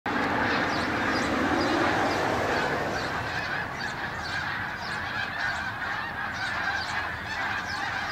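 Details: A large flock of Canada geese flying over Farnham early in the morning on 18 December 2015, honking in a dense chorus of nasal two-note honks from many birds, overlapping at a rapid, uneven pace.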